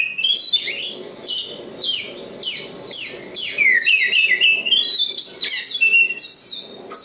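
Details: Local East Java Oriental magpie-robin in full song, repeating loud downward-sweeping whistles roughly every second, then a rich run of twisting, warbled and slurred phrases.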